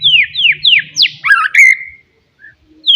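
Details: Loud forest white-rumped shama song aimed at rivals: a series of four descending whistled slurs, a jumbled warble, then a long falling whistle and a pause, low hum underneath.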